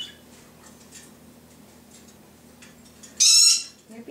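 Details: Timneh African grey parrot kept indoors, copying household sounds; quiet room, then one short very high sharp screech, like an electronic beep, with a person speaking nearby.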